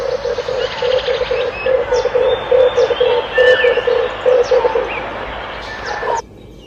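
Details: A Red turtle dove gives a long run of evenly pulsed low notes. Other birds twitter and whistle above it, and the sound cuts off suddenly near the end.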